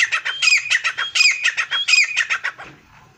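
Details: Grey partridge (teetar) calling: a rapid run of about fifteen harsh, squawky notes, each with a bright upper edge, delivered in under three seconds before trailing off into quiet.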